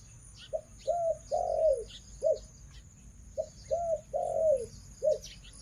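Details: Female spotted dove, a decoy breeding hen on a farm, cooing in low, hollow phrases: two repeated sequences of short and drawn-out coos, with faint higher chirps from other birds behind.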